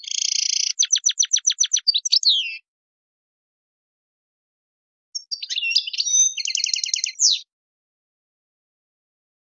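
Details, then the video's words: European goldfinch Tadmait song for teaching young birds error-free singing: a buzzy trill into sharp repeated clicks and a slur, silence, then a varied twitter with a rattling trill and a final falling note. "تغريد تادمايت شون هبال و قوة ما شاء الله لتحفيظ الصغار الغناء الخالي من الاخطاء"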